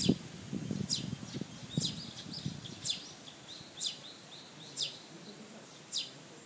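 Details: Young Eurasian tree sparrow begging for food and being ignored, giving sharp high chirps about once a second over a soft background hiss, with low knocking sounds at the start.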